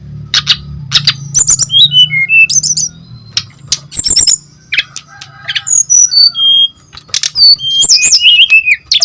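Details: Brown-chested jungle flycatcher singing energetically as a lure to set other birds of its species singing: scattered high whistles, falling slurred notes and sharp clicks separated by short pauses.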